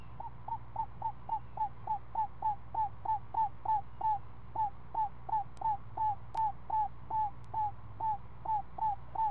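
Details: At a nest holding a week-old screech owlet being fed snake, a fast, steady run of short, downward-hooked chirps, about three each second, continues for nine seconds above a constant low background hum.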